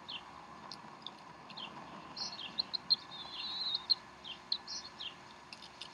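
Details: Mother bald eagle feeding the young at the Decorah nest, 3:10 pm Central Time, 12 April 2012; high piping chirps repeat roughly once a second, some slurred downward, over a low continuous hum.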